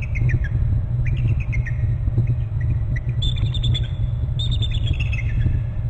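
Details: Bald eagle calling at a Hornby Island nest site, caught on the territory camera. Scattered soft chips build into an emphatic run of high, falling, chattering piping notes, with a strong low rumble throughout.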